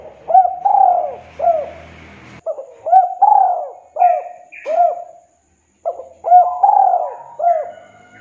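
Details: Tekukur (spotted dove) calling to lure a rival in 'kuk 2' style: a steady series of three-note cooing phrases with rounded, hooked notes and one longer central coo each time, a short silence midway, and faint background chirps.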